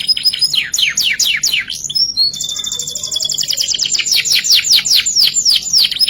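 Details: Canary singing a full 'gacor ngerek' style master song: quick high descending sweeps repeated several times a second, a short pause, then a long rapid rolling trill of bright sweeping notes.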